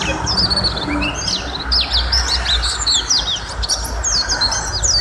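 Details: White-eye (pleci) singing in short phrases of bright, thin whistles and sharp upward chirps, separated by brief pauses, over a soft low rumble.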